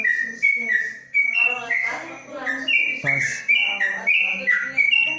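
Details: Caged yellow-vented bulbul singing in the long ropelan style inside a covered cage in Kebumen: rapid liquid whistled notes jumping up and down, with a man talking in the background midway.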